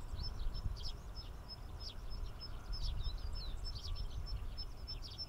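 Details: Chirping tree sparrows (Passer montanus saturatus) by Inbanuma Lake, Chiba Prefecture, Japan; quick overlapping tweets and chips fill the clip alongside a repeated thin high pip, set against loud low background noise.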